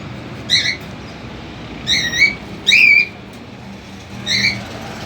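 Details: Cockatiel family together at the cage, with the father feeding three chicks that are learning independence: four loud, harsh, rising squawk calls, each about half a second long, spaced irregularly against a steady low background hum.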